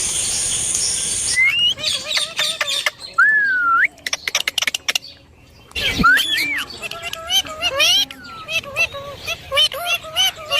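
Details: Ringneck parrot producing a smooth rising whistle, rapid clicks, then a long sequence of wavering harmonic notes and chatter, with a hissing noise at the very start.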